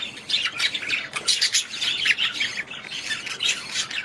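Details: Excited budgerigars squawking and warbling, loud harsh bursts roughly every half second over a constant bed of high twittering.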